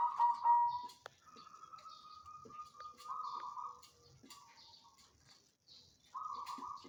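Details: Banyumili zebra dove, a caged bird kept in a knitted cage on a hanging pole, giving drawn-out, vibrating coo phrases at a moderate volume, broken by short silences, with soft clicks and distant chirping in the background.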